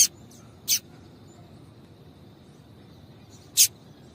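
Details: A female double-collared seedeater calls to stimulate a male. Three short, piercing high chirps are spaced widely apart, two close together near the start and one after a long silence.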